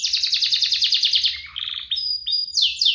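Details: Energetic singing canary, one of a duo compiled to prompt young canaries to sing: a rapid trill of repeated notes gives way to lower buzzy chips, then sustained pure whistles and quick rising sweeps.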